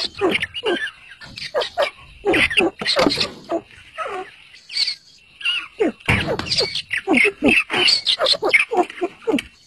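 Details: Chirping partridges and fighting chicks make a dense, jumbled stream of sharp clicking chirps and squeals, coming in quick bursts with brief pauses between clusters.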